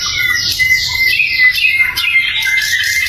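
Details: Flycatcher (sikatan londo) used as tutor for songbirds, singing a quick, buzzy, high warble over a thin steady whistled tone, with notes repeated several times a second.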